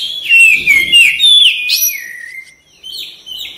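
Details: Caged white-rumped shama giving loud sliding whistles that dip and rise in quick succession, with a low rumble underneath early on, then softer stepped whistled notes.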